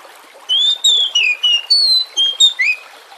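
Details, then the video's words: Kacer, the Oriental magpie-robin, singing as a lure: a continuous run of eight clear whistled notes at shifting pitches, rising and falling, with light water sound behind. "Pancingan kacer Jenis APAPUN agar Lekas GACOR dan NGEPLONG"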